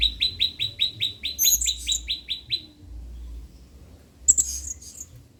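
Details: Blue-crowned hanging parrot singing as a training model for other songbirds: a rapid run of short, evenly spaced high chips, then a pause before a shrill, squeaky burst of higher notes.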